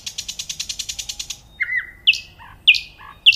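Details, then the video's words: Nightingale pours out a rapid, even trill of about fourteen repeated notes. After it come a low, full whistle and three sharp, high notes spaced well apart. "صوت العندليب"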